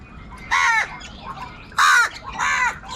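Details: Angry crows, called kauwa locally, fighting for food and crying loudly: three harsh, raspy caws, each about a third of a second, spaced unevenly across a few seconds, with faint chirping of smaller birds behind.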